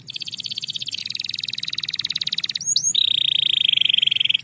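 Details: Belgian canary holding a long rapid buzzy trill, a quick upward whistle, then a steady, even rolling trill at slightly lower pitch.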